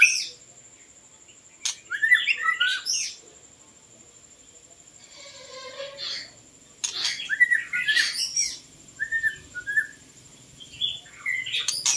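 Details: White-rumped shama song used to lure birds: brief bursts of varied whistled and twittering notes separated by quiet gaps, a steady high thin tone in the background, a few clicks and a faint low murmur midway.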